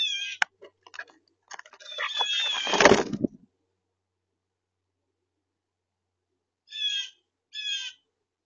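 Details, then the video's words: A blue jay, angry at starlings that dropped in on its lunch, gives harsh, raspy, nasal calls, first a noisy jumbled burst, then two separate screeches about a second apart. "An angry blue jay..."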